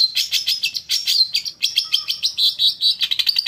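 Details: Long-tailed shrike singing on a stimulus track to make a caged bird respond: busy, varied chattering with squeaky high notes and short scratchy bursts tumbling together without pause.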